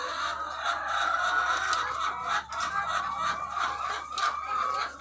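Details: Laying hens in their thousands on a farm, a busy clamour of short clucks and drawn cackles overlapping continuously, with a steady low hum.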